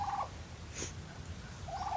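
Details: Bronze turkey on a farm at sunrise, noisy with ducks in the morning, gobbles twice in quick, rattling bursts, with a brief high chirp between and a low background rumble.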